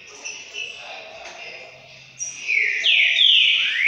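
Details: Green-winged saltator giving its classic song: after a quiet, faint start, loud, clear whistled notes slide downward in a rich phrase during the last half.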